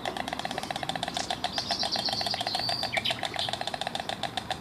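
White stork giving a fast, dry, wooden rattle of evenly spaced knocks, with a thin high whistle from another bird partway through.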